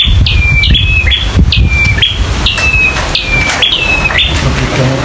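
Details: Fighting local bar-winged prinia calls: repeated high whistled notes that slide downward, set off by sharp clicks, about twice a second. A heavy rumbling, rain-like noise fills the low range.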